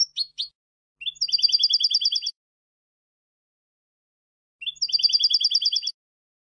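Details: European goldfinch phrases recorded to tutor young goldfinches: two short chirps, then two separate bursts of a rapid, even metallic trill, each about a second long, with silence between.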